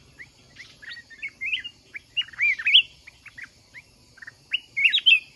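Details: Fight-trapping of a mountain red-whiskered bulbul: separate sharp chirps building into louder swooping whistled phrases near the middle and end, against a low background rumble.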